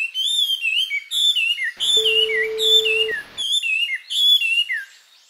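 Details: Japanese white-eye summer song recorded at close range in mid-July: rapid, high, warbling phrases of twisting whistled notes in several bursts, with a steady beep tone partway through.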